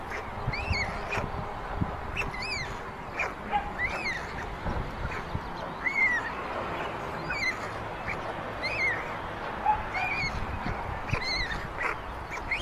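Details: White stork chicks in a chimney nest in Ságvár, Hungary, 22 May 2024, with older siblings snatching food from the youngest. Clear arched, mewing wails repeat about once a second, some overlapping, over soft background noise.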